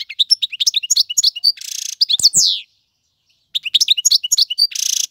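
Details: Goldfinch male singing to teach young birds; quick twittered notes and a buzzy wheeze, a sharp descending slur, a silent gap, then the twittering and wheeze repeat.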